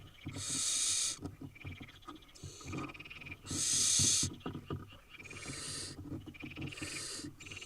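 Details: Eight wild barn owl nestlings in Israel emit loud rasping hisses alternating with softer, shorter ones, irregularly spaced, while scratching and shuffling sounds continue beneath.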